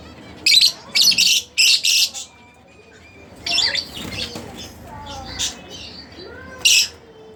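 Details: Pet split blue Fischer's lovebirds give a run of four loud, harsh chirps, then scattered softer squeaks, faint whistles and one last sharp chirp.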